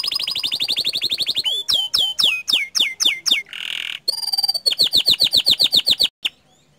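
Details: Canary delivering 'gacor dor' song: a long run of rapid high trilled notes, then a string of loud downward-swooping chirps, a brief harsh buzz, and another fast repeated trill before stopping abruptly.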